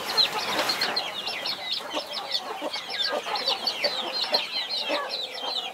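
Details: Brood of 21 baby chicks guarded by their mother hen; a steady, crowded stream of high downward-sliding peeps, with short low clucks pulsing underneath.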